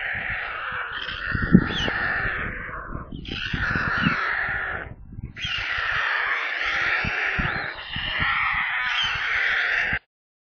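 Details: White stork nestlings screaming from hunger at a nest near Kaluga, Russia, on a live nest camera: three long rasping, wheezy bouts separated by short pauses, with low thumps throughout, ending abruptly in silence.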